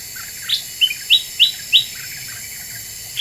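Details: Very vocal Black-winged bulbul in a lure recording: a handful of clear, high, sharply flicked chirps, about three evenly spaced, after one softer note, then silence.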